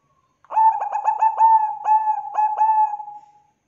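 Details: Bangkok-type zebra dove (perkutut) in full song, played as a lure to spur other birds to sing: a rapid stuttering run of about eight mellow cooing notes that merges into one long, steady, fading coo, with a clean background.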